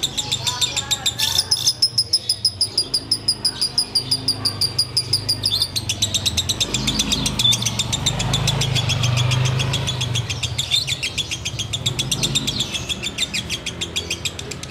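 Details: Sooty-headed bulbul ngekek chatter, heard while waiting to break the fast: quick, regular high clicking notes for the first six seconds, then a rising rumble of engine noise partly masks the continuing chatter.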